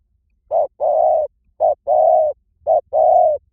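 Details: Three clear phrases from a spotted dove, about one per second. Each is a short soft hoot followed by a long, level, mellow coo, in a quiet setting.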